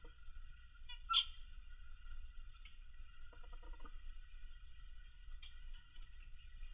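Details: A male Australian zebra finch, busy building his nest, gives a single short, nasal, honking call, then a quick run of soft ticking notes over a steady indoor hum.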